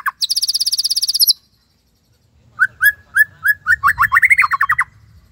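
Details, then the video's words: White-rumped shama in full song, a style called tembakan Cililin: a fast series of high sharp notes, a pause, then a rising run of repeated mid-pitched whistled notes accelerating into a quick trill. "Murai Gacor !! tembakan Cililin"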